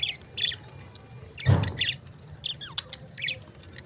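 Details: Lovebird giving short high chirps in small bursts, a few sharper rising notes, with one dull thump partway through and quiet background hum.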